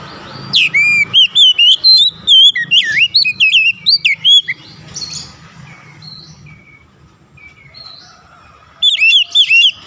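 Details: Oriental magpie-robin singing a long, varied sequence of loud swooping and trilled whistles for about five seconds, then a pause with faint far chirps, and a final burst of whistled notes.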